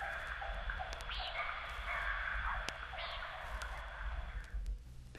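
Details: Chuck-will's-widow, in a 1961 field-guide recording of eastern and central North American birds, giving two loud, whistled phrases about two seconds apart, each ending in a quick rising sweep, over old-recording hiss and hum.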